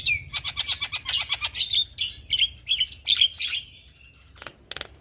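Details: Persistent song of a Javan myna, meant as tutoring audio for young birds: high, grating buzzy chirps in quick succession, several notes each second, then a thin whistle and two final sharp rasps.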